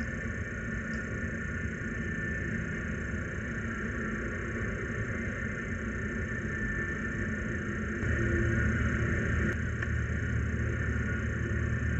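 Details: Steady low engine-like rumble with broadband hum throughout, louder after eight seconds; no animal calls stand out.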